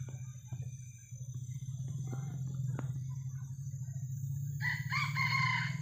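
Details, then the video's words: Distant junglefowl crowing from high in a tree in forest beside a river. A low hum runs throughout with scattered clicks, then a harsh, broken crow with stacked bands closes the last second and a half. "Nah, di atas sana ya, itu suara ayam hutan."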